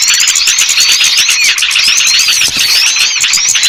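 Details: Small-bird lure call meant to draw wary birds down: busy, overlapping high twitters with repeated curved whistle slurs and fast, steady clicking throughout, loud and unbroken.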